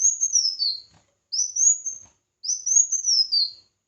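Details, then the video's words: Red-whiskered bulbul in competitive singing, used for voice training: three clear, high whistled phrases, each rising and then sliding down, separated by short pauses, with no other sounds. "Chào Mào Hót Đấu"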